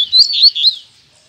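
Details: Caged double-collared seedeaters (coleiros) at a bird keepers' gathering, of Tui Tui and Zel Zel song styles: one brief, loud warbled phrase of high, wavering notes lasting under a second.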